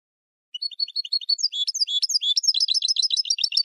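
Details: Goldfinch song used as a tutor recording for young birds: starts with a few thin high chirps, then builds into a dense, rapid liquid twitter of rolling notes, with no other sounds.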